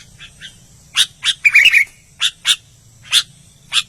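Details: Albino sooty-headed bulbul singing actively: sharp, dry, broadband chips spaced about half a second apart, broken by a quick warbled burst of bubbly whistled notes near the middle; faint low hum underneath.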